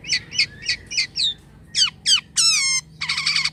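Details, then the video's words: Jalak kapas starling in active song with unusual sounds: five rapid chirps, two sweeping whistles, then a long nasal squawk and a buzzy rasping note. "jalak kapas gacor corr suara aneh"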